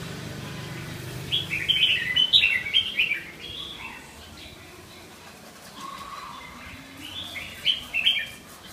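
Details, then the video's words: Red-whiskered bulbul giving a run of rapid, bright, chattering and warbling notes, then a pause with a soft lower note, followed by another brief burst of clear whistled phrases, with a faint background hum. "Gluu 3 -kênh chào mào-"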